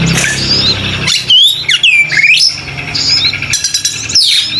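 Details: Oriental magpie-robin, called kacer, giving loud swooping whistled notes that drop and climb again, separated by grating rasps and short buzzy bursts, with a faint low hum underneath.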